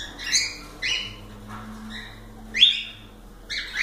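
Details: Short harmonic chirps and whistled notes from cockatiels, spaced roughly every second, over a steady low droning hum.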